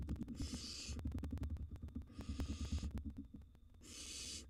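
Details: Wild barn owl nestlings in a monitored nest box during a feeding frenzy, after a mouse prey drop while a second nestling eats a large gerbil. Three long, breathy, hissing screeches are heard over low thumping and rustling.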